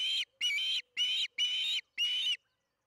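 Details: Osprey at the Charlo nest, evening feeding, June 21, 2019, 8:15 pm MDT: five evenly spaced, harsh whistled notes over a faint low hum.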